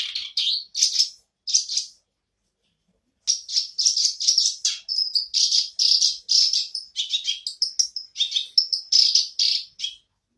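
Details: Black-browed reed warbler resuming its song: two short scratchy bursts, a gap of about a second, then a long, lively run of rasping chatter mixed with brief clear whistles.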